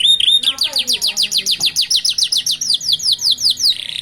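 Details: Canary fledglings sing with a unique rhythm beside a road, a short whistle followed by a long steady series of fast, evenly repeated descending whistled notes about four per second, ending in a buzzy trill.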